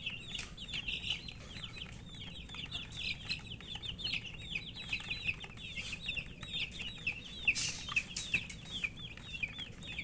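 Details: Colourful baby chicks chirping for drinking water; many shrill, falling peeps pour out in a steady stream, with occasional sharp knocks and a low rumble beneath.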